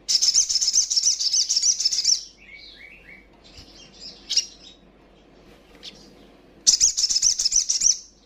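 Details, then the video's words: Female crimson sunbird calling to provoke rivals: two bursts of very high, rapid, dense trilled chittering, about two seconds at the start and again near the end, with scattered thin chirps and quieter notes between. "Sogon trotolan gacor,ngobra,ngleper.paling ampuh bikin emosi lawan!"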